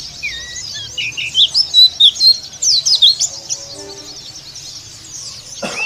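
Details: Oriental white-eye of the dakun type, Kitamani, in rough 'ngeriwik' song style: rapid high thin chirps and twittering notes, bursts of short sharp syllables about twice a second, with faint low background hum.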